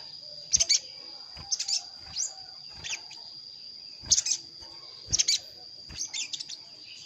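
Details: Sogon call used as a lure for wild sogon reluctant to come down to traps, calling a rival: sharp, very high chirps in short doublets and triplets at irregular intervals over a steady high electronic whine.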